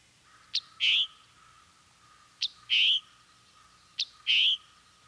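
A Scarlet Tanager's chick-burr call, given three times, about every one and a half seconds: a sharp, high chip and then a lower, buzzy burr, over a faint, steady hum.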